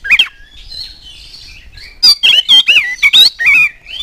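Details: Oriental magpie-robin singing energetically as a lure for other magpie-robins: soft, thin warbling at first, then a fast run of loud, ringing whistled and grating notes in the last two seconds.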